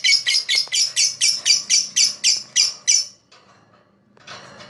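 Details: Lovebird chirping, said to attract other birds: a fast run of about eleven harsh, high chirps at a steady pace for three seconds, then a brief pause and a softer rasping note.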